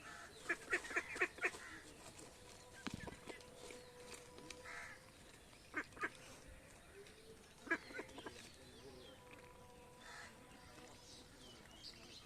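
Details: Village ducks and ducklings in India heading to the pond; a quick burst of harsh quacking opens, then scattered single calls among overlapping chirps from other birds and low background rumble.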